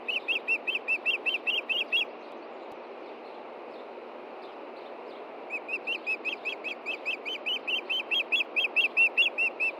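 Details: Osprey at its Montana nest on a June 2013 evening, searching for a hidden fish: a dozen rapid whistled chirps, a silent gap of several seconds, then a long steady run of about twenty.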